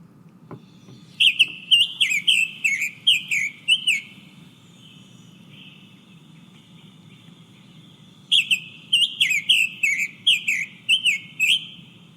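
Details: A Summer Tanager (Piranga rubra), a summer resident of Texas, sings two bursts of rich, robin-like, chirpy whistled phrases, rising and falling, about two per second, with a steady low hum beneath.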